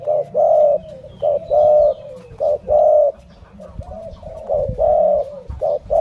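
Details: Spotted dove of the Malay line delivering hollow coos in short-then-long pairs, separated by a lull with soft faint notes and light knocking before cooing resumes.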